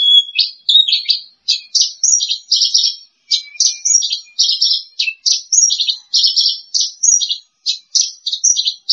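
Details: Prize-winning bush lark, placed second in competition, pouring out dense, rapid, varied high notes in short packed phrases with brief gaps, a lively continuous chatter.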